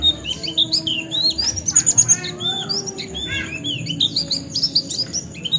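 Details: Oriental white-eye singing on a bird-training tutor track: lively, high chattering warble of fast slurred notes, some falling and some rising, unbroken throughout, with low background hum.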